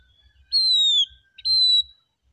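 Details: Oriental magpie-robin singing in a relaxed manner: two loud, pure whistled notes, each a long slightly falling tone, separated by a short pause, with faint low rumble beneath.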